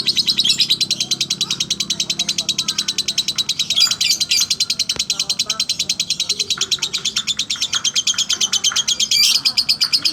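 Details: Lovebird ngekek sung slowly, a long steady stream of high, rapid chattering pulses lasting ten seconds, now and then broken by sharper squeaks, with soft talking and background noise below.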